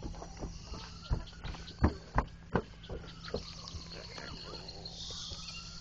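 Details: Woodpecker at work on a tree along a trail, giving sharp, dry knocks in an uneven series of about a dozen taps, some louder than others, against a quiet outdoor background.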